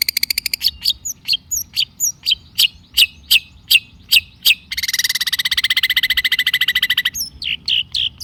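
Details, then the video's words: Long-tailed shrike lure song meant to prompt a reluctant bird to sing: a fast stutter of notes, evenly spaced sharp calls, then a dense buzzy rattle and a few looping whistled notes. "kicau cendet gacor pancingan cendet stres macet bunyi JADIKAN cendet NYAUT GACOR"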